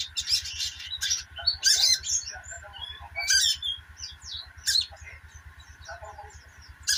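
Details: Sogok ontong sunbird giving loud, high chattering bursts spaced a second or more apart, with trailing series of thin descending squeaks, over a steady hum and rapid low pulsing.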